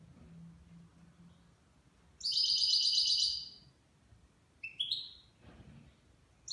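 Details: A nine-month-old goldfinch delivering Levantine-style song: a loud fast buzzy trill of bright repeated notes, then a short rising chirp and a brief note at the end, over quiet background.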